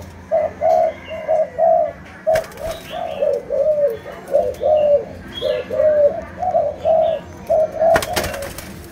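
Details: Malaysian-line spotted dove delivering a lengthy series of soft, low coos, roughly one per second, fairly evenly paced throughout, broken by a couple of sharp clicks or knocks in the background.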